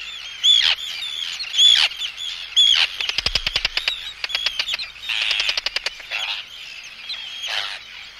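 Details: Arctic tern close-up, giving anxiety and threat calls at an intruder: harsh downslurred screeches with a burst of rapid clicking rattles in the middle, then more scratchy calls, with wingbeats.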